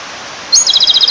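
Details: Male Japanese robin by a clear stream calling a female: one sharp, upslurred high note at once followed by a fast, ringing trill of repeated high notes, with a soft hiss of flowing water behind.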